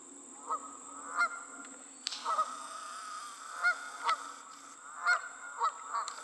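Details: Geese on the wing calling in flight: nasal honks repeated irregularly, roughly one every second, some doubled, over a steady high-pitched whine and one sharp click.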